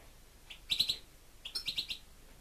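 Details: European goldfinch kept as a pet gives two brief, bright phrases. Each is a quick run of three or four chirpy, twittering notes, with a short gap between the phrases.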